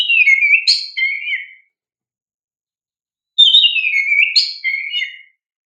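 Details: Oriental magpie-robin (kacer) song played to prompt caged young birds to respond: two rich whistled phrases, each sliding downward through varied warbled notes with sharp high accents, separated by a silent gap of about two seconds.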